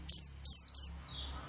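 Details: White-eye singing, played as a lure to spur birds into steady song: three loud, very high chirps in quick succession, each a bright slurred note sliding downward, the last trailing off softly.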